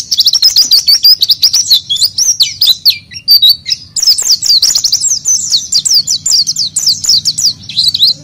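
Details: Lure song of an oriental white-eye, meant to draw out other white-eyes: a long unbroken stream of high, rapid chirping and zigzag whistled notes, steady and energetic throughout, over a faint low hum.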